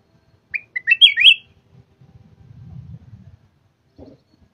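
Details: Red-whiskered bulbul, a cage bird from Thailand, gives a short burst of quick whistled notes, followed by quiet low rustling and a soft knock.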